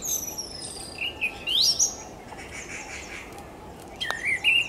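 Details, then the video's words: Orange-headed thrush singing varied, high, clear whistled phrases: sliding notes, a quick rising sweep, then brief warbled bursts a few seconds apart, over faint background hiss. "Melodious Song of Orange-headed Thrush कस्तुर"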